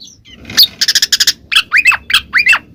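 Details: Ngeplong-style song of a Black magpie-robin: a quick series of buzzy harsh notes followed by four looping whistled phrases that swoop down then up, each about a quarter second apart, meant to coax a mute bird into replying.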